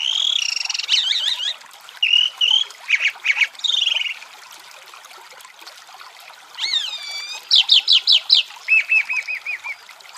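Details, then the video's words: Chalk-browed mockingbird delivering varied mimic-like song: harsh buzzy opening notes, rising sweeps and grating chatter, a pause, then looping whistled upswept notes followed by rapid repeated chirps and a short series of lower notes. "Canto de Sabiá do Campo Cantando"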